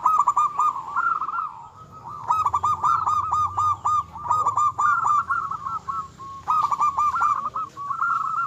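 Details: Local zebra dove in vigorous song, meant to rile opponents: loud, rapid rolling coos in dense repeated phrases, a short lull after the opening phrase, then near-continuous stuttering notes.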